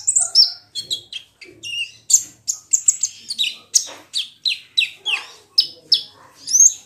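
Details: Olive-backed sunbird (kolibri ninja) calls used as a singing lure: a long run of evenly spaced, high, sharp chirps and downslurred whistles, several per second.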